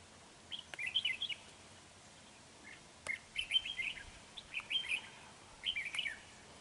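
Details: Red-whiskered bulbul, a large bird with a dark bib, singing as a decoy during trapping on 31 January 2019: short warbled, slurred whistled phrases in bursts about a second apart, with quiet gaps and faint background hiss.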